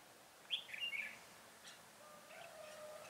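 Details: Decoy red-whiskered bulbul at a trap for wild bulbuls, January 2018: one lively burst of clear, tumbling whistled notes, followed by fainter distant chirps.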